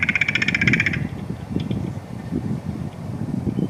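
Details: Clicking rattle from a crow, August 2021: a fast train of sharp, slightly ringing clicks for the first second, then fading into a steady low background rumble.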